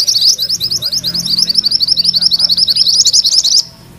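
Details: High, rapid chattering trill from a mantenan kuning, a single sustained ngerol roll of quick repeated notes that stops abruptly.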